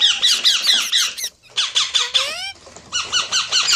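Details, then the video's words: Parrot producing rapid raspy chattering notes, broken midway by a clear, upward-sliding, harmonic voice-like call, then resuming the harsh pulsed chatter. "Amazing Parrot Talking Sounds Videos | Parrot Voice| Mitthu Ki Awaaz | Parrot Ki Awaaz"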